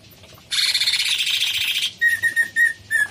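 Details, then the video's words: Cucak cungkok bulbul giving a long, loud, rasping buzzy phrase lasting over a second, followed by a string of five short, clear whistled notes at a steady mid pitch. "Suara burung cucak CUNGKOK gacor"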